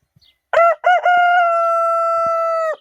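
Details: Morning crow of a rooster that crows non-stop: a loud cock-a-doodle-doo opening with two brief stuttered notes and ending in a strong, steady, sustained final note of nearly two seconds that drops off abruptly.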